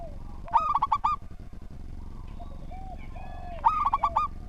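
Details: An active local zebra dove sings two phrases of rapid, rippling coos about three seconds apart. A steady low rumble of background noise runs throughout, with faint whistles between the phrases.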